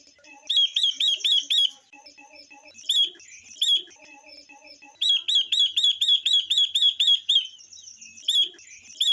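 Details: Female Chinese hwamei singing to excite males: fast bursts of sharp, high chirps, about four a second, broken by short gaps filled with faint low repeated tones.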